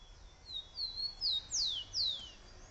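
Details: Wild bird singing to attract the female: a short phrase of five high, clear whistled notes, the first two thin and level, then louder slurred whistles sweeping steeply downward, over a faint low background hiss.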